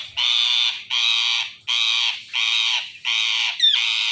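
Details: Indian ringneck parrot giving a series of five loud, harsh, raspy screeches, each about half a second long and repeated roughly every 0.8 seconds, with a short sharp note near the end.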